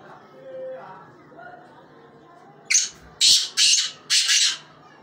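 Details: Black francolin gives its call after a quiet pause: a short sharp introductory note, then three rasping, buzzy bursts spaced roughly half a second apart.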